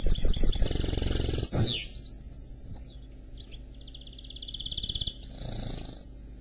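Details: Mule from a canary and goldfinch cross singing a chattering trill and a swooping downslurred whistle, followed by quieter high notes, an evenly pulsed trill and a final buzzy phrase; faint low background hum.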